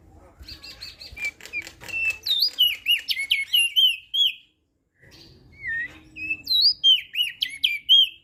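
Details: Two bursts of busy, high-pitched warbling from a Lombok crested white-eye used as tutor song for quiet birds, with looping, rising and falling whistled notes packed closely together and a short pause between bursts.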